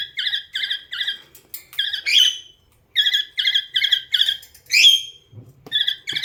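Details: Domestic cockatiel singing to a companion parrot: quick series of clipped, repeated chirps in rhythmic runs, punctuated by two upward-swooping whistles, a short silence midway, and soft low thumps near the end.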